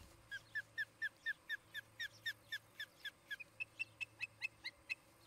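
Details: Osprey couple at a nest near Charlo, Montana, on a nest camera in mid-August 2018: a long run of about twenty quick repeated notes, downslurred and slightly lower at first, then sharper and higher-pitched, with a faint background hum.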